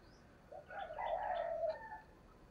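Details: Lure spotted dove cooing to attract wild doves for trapping: a short soft note, then a drawn-out wavering coo, heard over a steady hiss of background noise.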